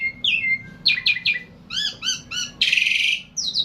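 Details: Javan pied starling singing at length: a varied run of whistled slurs, stacked harmonic chirps in quick series, then a harsh broadband squawk and more bright notes, all high-pitched and clear against a quiet low hum.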